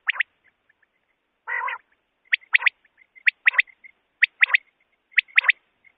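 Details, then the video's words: Common quail giving sharp, liquid three-note 'wet-my-lips' phrases, about one per second, after a short low nasal growl at the start; recording used to lure quail for night hunting. "Common Quails sound Quail/Batair Ki awaz"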